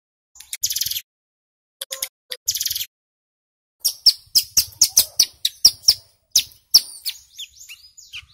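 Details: Male Bar-winged Prinia (ciblek gunung) lure song: three buzzy rattling bursts, then a quick run of loud, sharp high chips with short upward and downward inflections.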